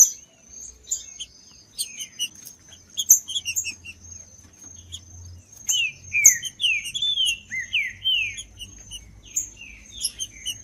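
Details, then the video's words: Green-winged saltator in song, with scattered bright chips building into a rapid series of rich slurred whistles, each curving down then up, against a steady thin high hum. Used for warming up unmotivated birds for tournaments. "LEVANTE SEU TRINCA FERRO MELHOR VÍDEO PARA ESQUENTAR TRINCA FERRO FRIO COM TRINCA FERRO CANTANDO"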